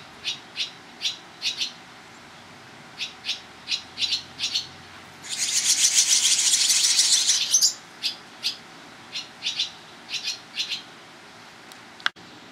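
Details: Barn swallows on private property in Toronto, Ontario, on 11 July 2010, with parents rapidly coming and going to feed young: sharp, high chirps about twice a second, broken by a two-second burst of dense, hissing begging chatter before the chirps resume.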